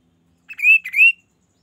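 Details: Quail calling to draw other quails into answering, two clear whistled notes, each rising and slightly buzzy, given back to back with a short gap and a quiet background.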